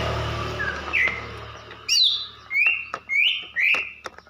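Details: Female greater green leafbird, Banyuwangi type, calling to stir a male into song: a run of short, clear whistled notes, each slurring upward, spaced about half a second apart after a noisy opening.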